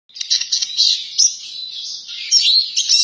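A Eurasian siskin gives a fast, high twittering run of chirps and thin wheezy notes, almost unbroken for three seconds, with no other sounds.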